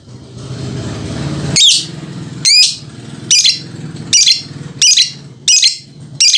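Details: Lovebird dancing while chattering in ngekek style: a series of sharp high harsh bursts, each under half a second, repeated roughly every 0.7 seconds over a low background hum.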